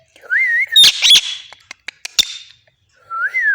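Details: Pet parrot whistling: a wavering whistled phrase at the start and end, with harsh broadband squawk bursts and clicks in between.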